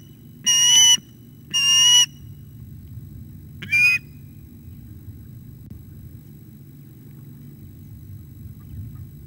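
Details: Osprey at the nest on 9 August 2021 around a fish delivery, late morning; two sharp whistled calls followed by a shorter third, then a quiet stretch with a constant low hum.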